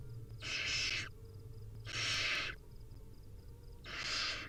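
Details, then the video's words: At feeding time, wild barn owl chicks beg with three drawn-out, wheezing hiss-snores separated by short pauses, recorded on a nest cam. "Hungry Little Owls: Barn Owl Nestlings' Feeding Time"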